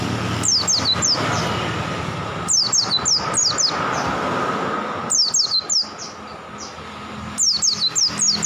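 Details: Oriental white-eye, freshly caught from the wild, repeating short phrases of four or five sharp, falling whistles every two to three seconds, with faint vehicle noise underneath.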